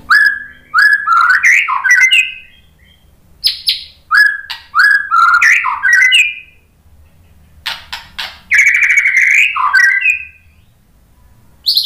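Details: White-rumped shama (murai batu) lure song used to provoke other birds into answering: bursts of rich slurred whistles, rising and falling, with sharp clicking notes, delivered in phrases separated by short silent pauses.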